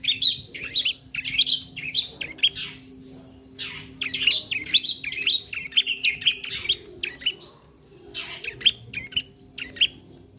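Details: A young bar-winged prinia rehearses its song in long bursts of rapid, high, slurred tweets that bend up and down. Brief pauses split the bursts. A steady low hum lies underneath.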